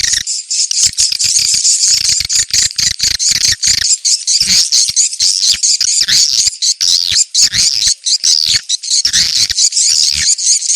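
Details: Swiftlets in an Indonesian 'ceklok' attraction recording used for checking a building site. Rapid, high, chattering twitters pulse about one and a half times a second in a continuous crowded stream.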